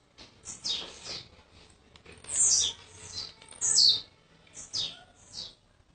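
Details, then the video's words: A young blue-black grassquit from Jacarepaguá, Rio de Janeiro, that arrived the day before gives short, high, buzzy descending notes in quick bursts, repeated every second or so, with no other sounds. "Tiziu de cara "40 GRAUS x FORA DE CONTROLE"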